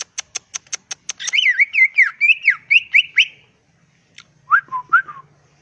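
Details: Greater green leafbird in the wild, recorded as a lure to provoke other birds: a string of sharp ticks, then looping whistled warbles rising and falling, then a few lower slurred whistles after a short silence.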